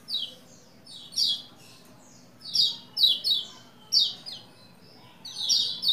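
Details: Lombok white-eye giving scattered bright, falling chirps and short twitters with silent stretches between, used as a prompt to make a male sing.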